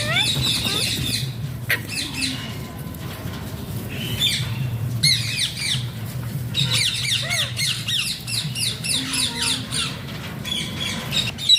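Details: Alexandrine parakeet making funny talking sounds, with rapid repeated high chattering squawks in dense bursts and short gaps, low rumbling background noise throughout.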